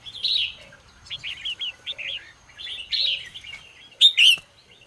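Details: Red-whiskered bulbul morning song for training and stirring other bulbuls; short whistled phrases in quick groups, ending with one loud, sharp double whistle.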